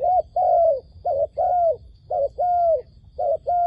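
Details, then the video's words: Dove kept as a lure for trapping wild doves, cooing steadily in short-long pairs nearly once a second, smooth tonal notes that sag at the end, over faint low background noise. "ឱ្យតែជួបលលកព្រៃ ធ្នាក់ហៅបរសឹងដាច់ខ្យល់"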